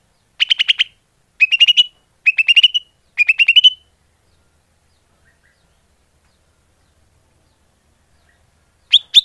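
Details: Greater green leafbird lure call: four quick bursts of rapid chattering notes, each rising slightly at its end, spaced about a second apart, followed by a long pause and a final short burst.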